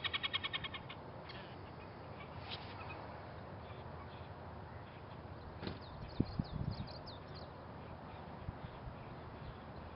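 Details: Red-necked grebes at the Davis Lane Ponds near Bozeman, Montana: a quick burst of harsh, nasal, harmonic notes in the opening second, then faint high chirps and a steady low background rumble.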